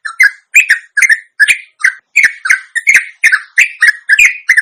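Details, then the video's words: Indonesian sooty-headed bulbul singing ropelan, a lengthy lure song meant to make lazy caged birds respond: a dense string of bubbly, slurred whistled notes in short bursts, nearly three per second, with brief gaps, nothing else heard. "ropelan panjang teristimewa buat pancingan trucuk anda"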